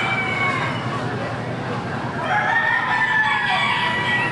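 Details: Chickens of all kinds at the Lorain County Fair, with drawn-out rooster crows rising through the second half and thinner clucking notes over a constant hum of fairgoers and hall noise.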